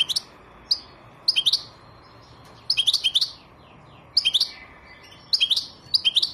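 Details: European goldfinch (Carduelis carduelis) song: bright, high twittering bursts of three to five quick notes, repeated every second or so over a faint steady hiss.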